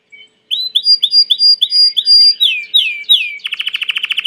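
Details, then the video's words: Domestic Belgian canary giving a song of clear repeated upslurred whistles and descending sweeps, then switching abruptly into a rapid buzzy rattle of pulsed notes. "COMO FAZER SEU CANARIO CANTAR MUITO 20 MINUTOS DE CANTO"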